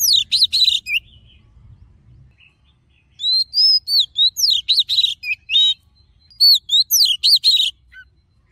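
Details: Oriental magpie-robin giving a forest-voice song for voice training and stirring up males. Three loud bursts of varied high phrases, each with downslurred whistles, buzzy trills and rapid notes, separated by quiet pauses.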